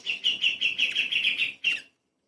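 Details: Light-vented bulbul recorded as tutor song for murai and kacer: a quick series of about eight bright, chirping notes, then a brief gap and one final chirp before silence.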